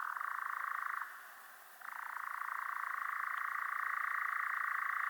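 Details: European Nightjar churring: a fast, dry, mechanical trill held on one steady pitch. It breaks off after about a second, falls quiet briefly, then resumes and runs unbroken to the end.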